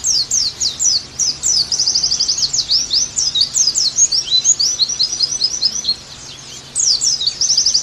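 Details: Oriental white-eye song used as a training recording to prompt captive birds back into full song: high slurred chirps run into a fast buzzy trill, then scattered twittering, a brief lull near 6 seconds, and a final trill.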